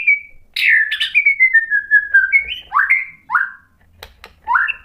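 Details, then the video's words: White-rumped shama singing as a lure to provoke another bird to sing: clear whistled notes sliding slowly downward, then a run of short rising whistles, each phrase separated by brief pauses. "KICAUAN MURAI BATU merangsang EMOSI jadi NYAUT GACOR NGEPLONG BONGKAR MATERI | PANCINGAN MURAI"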